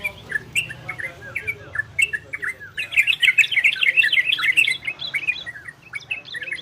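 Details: Orange-spotted bulbul ropel and garudo song, used to bring listening birds into breeding condition: spaced warbles that break into a dense, rapid bubbling burst in the middle before easing off.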